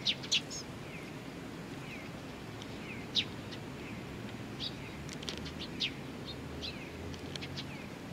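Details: Bird chicks waiting for their parents at Tenmangu shrine, Nakanoshima, on 25 June 2020: sharp high chirps recur irregularly, paired with softer lower downslurred notes, over steady background hiss and low rumble.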